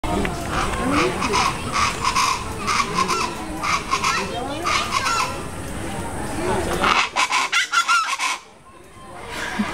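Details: Chachalacas at the zoo in Tuxtla Gutiérrez, Chiapas, Mexico, on 2 April 2010 call raucously in a loud, harsh, overlapping chorus for about seven seconds before breaking off into scattered sharp notes.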